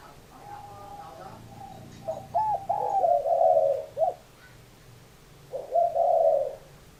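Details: Spotted dove cooing: a run of short low hooting notes with small rising and falling bends, then a longer hoarse coo about 2.5 seconds later, over a quiet background hum.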